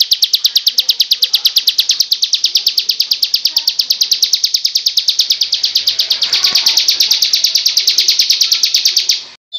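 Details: Bar-winged prinia, ciblek kristal type, in a song-training recording: a steady, rapid series of high, harsh buzzy notes repeated about three times a second, swelling slightly near the end before an abrupt stop.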